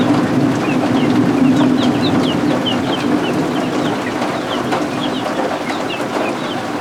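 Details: Several newly hatched guinea fowl keets under a heat lamp chirp in shrill, falling peeps, a few each second, while heavy rain and thunderstorm sounds roar steadily underneath.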